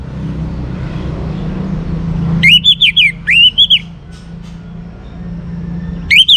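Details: Young orange-headed thrush sings to coax other birds into song: loud, wavering whistled phrases broken into short pulses, with a low hum underneath.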